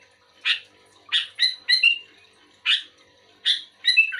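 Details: Sooty-headed bulbul responding to another bulbul: spaced harsh chirps alternating with brief, pure whistles, delivered in loose phrases separated by short silences.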